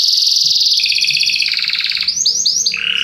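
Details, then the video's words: Belgian canary song meant to encourage other birds to sing: long rolling high trill shifting lower in steps, followed by quick descending chirped notes and a lower buzzy roll at the end. "CANTO DO CANARIO BELGA PRA ANIMAR SEUS PASSAROS"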